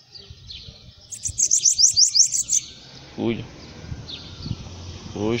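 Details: Bananaquit on a person's hand gives a quick series of high, sharp, buzzy notes for just over a second, followed by a man speaking Portuguese.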